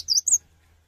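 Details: Cinereous tit singing to invite other tits to join in: two quick, very high whistled notes, the second slightly higher, then silence over a faint low hum.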